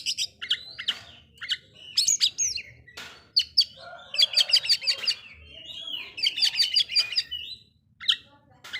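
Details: Oriental magpie-robin singing to rile up other magpie-robins: varied whistles and harsh chips, then stuttering rapid trills of high metallic notes, several bursts in succession.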